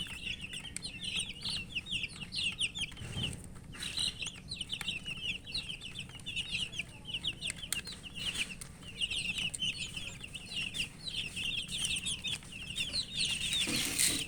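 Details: A group of chicken chicks eating and chirping: steady rapid high cheeps, many birds calling together, plus pecking taps and a louder rustling thump near the start and end.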